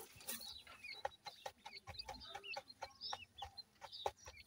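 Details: Young black francolins calling with thin, slurred peeps that bend up and down, several per second, over repeated dry taps and scuffling sounds.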